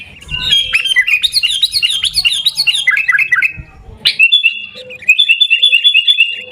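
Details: Sooty-headed bulbul's garuda-style song recorded in Pidie, Aceh: tumbling runs of fast, slurred, whistled notes rising and falling, a sharp click, then another rapid chirping phrase.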